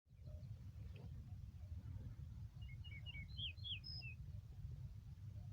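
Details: Yellow-breasted bunting singing on a green meadow in Yakutsk on 4 June 2020: a short phrase of clear, slurred whistled notes, some rising and some falling, over a steady low wind rumble.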